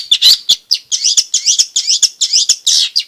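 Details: Long-tailed shrike used as a singing lure for reluctant birds and as a tutor for young ones, delivering a rapid series of high, harsh, buzzy chatter notes, about three per second.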